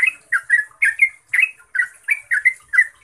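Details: Trucukan ropel song of the yellow-vented bulbul, played as a lure for caged birds. It is a rapid chain of mellow, gurgling chirps, each a short rising-and-falling note, delivered about four times a second with brief pauses.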